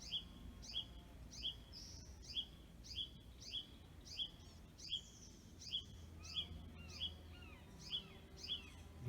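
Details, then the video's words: At Wildwood Canyon State Park on 20 June 2020, a Red-shouldered Hawk calls in the background: a steady series of high, clear, down-slurred screams, about one and a half per second, with fainter bird calls and light background noise. "shoulders Hawk calling in the background there's"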